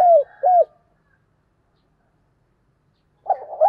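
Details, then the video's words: Spotted dove used as a morning lure bird: a long falling coo and a short rounded coo, silence for over two seconds, then the rough start of another cooing phrase. "Tiếng Chim Cu Mồi Gáy Gọi Buổi Sáng/ tiếng chim Cu Gáy Kích Bổi Nhanh Nổi Mỗi Ngày"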